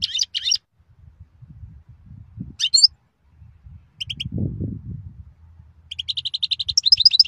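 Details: {'caption': 'European goldfinch singing: scattered bursts of high, bright twittering notes, then a quicker run of clipped, alternating chirps near the end, with low rumbling background noise between phrases.'}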